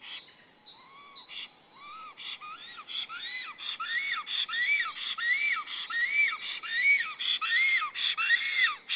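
Black stork giving a series of arched, wheezy whistles, each rising then falling, repeated roughly once a second and growing louder.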